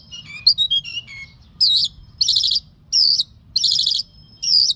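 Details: Lark, song labelled 'mashadi jal': a few quick falling whistles, then bursts of loud, rich warbled phrases, each under half a second, repeated roughly every second with short pauses, faint background hum.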